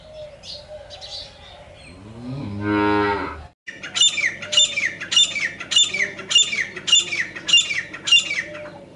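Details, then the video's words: Morning francolin call, a harsh, ringing phrase repeated about eight times at an even pace of roughly 0.6 seconds, preceded by a deep, drawn-out cow-like moo and some faint chirps. "सुबह सुबह तीतर की आवाज़ || Morning Time Frencolin Voices"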